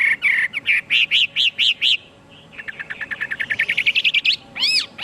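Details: Chinese hwamei sings a set of repeated arched whistles, pauses, then accelerates into a quick rising run of short notes, ending with a loud swooping phrase.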